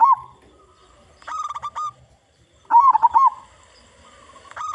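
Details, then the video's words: Zebra dove of local stock, strong-voiced and kept as a lure for its kind, delivering staccato bubbling coos followed by rapid warbled trills in two bursts with silence between. "Perkutut Lokal Gacor Suara Besar"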